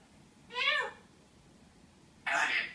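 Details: A female African grey parrot at a door, telling it off with "Hey" and calling "kom" (come) before flying to a window. There is one rising, harmonic, speech-like word, a pause, then a harsher, breathy burst of sound.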